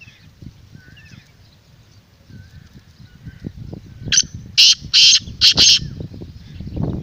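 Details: Black francolin calling, meant to excite a kept bird and pull in wild francolins: faint thin whistles and low rustling noise first, then a loud grating phrase of five harsh, buzzy notes in quick succession.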